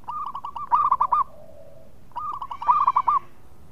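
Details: Two phrases of local zebra dove song, loud and used to lure birds in breeding mood: each a rapid trill of short coos that swells into a few louder, drawn notes, separated by a quiet gap with a faint low tone.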